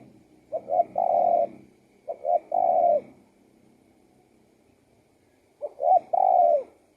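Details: A spotted dove coos in three-part phrases, two clipped notes then a long smooth coo, given three times with a longer gap before the last.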